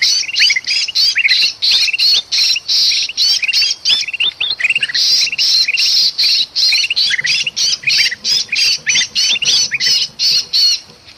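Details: Noisy, agitated kutilang emas bulbul with a trapped bulbul, Sumatran forest lure recording: a dense run of harsh rasping squawks interleaved with quick rising chirps, about three per second, with barely a pause.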